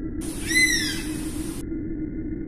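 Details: Oriental honey buzzard uttering a single loud, pure whistle that swells and then dips in pitch, set against an even low background hum.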